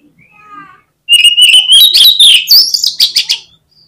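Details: Oriental magpie-robin (kacer) in full song, a call meant to trigger rival birds at contests: faint harmonic notes, then a loud, rich run of sweeping whistles rising and falling with sharp chattering notes mixed in.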